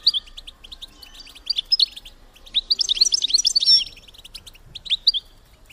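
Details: Female European goldfinch call for stimulating males to mate: scattered high chirps building to a dense, jangling twitter around the middle, then easing back to spaced notes.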